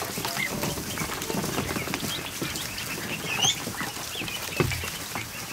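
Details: Newly hatched ducklings, more than a hundred of them, swimming in a kiddie pool in a barn one afternoon; scattered bright rising peeps over busy water splashing, with a single thump near the end.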